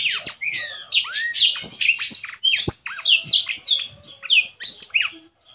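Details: Blackthroat singing intensely with wings spread: a lively tumble of high whistled slurs, rising and falling curves and quick chirps, interrupted by occasional sharp clicks, ending in a short pause.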